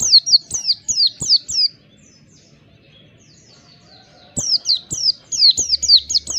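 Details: Oriental white-eye sound used as therapy to get birds to sing 'ngalas' and open their beaks: rapid series of high, sharp, downslurred whistled notes, about eight in a row, a two-second pause, then another quick burst.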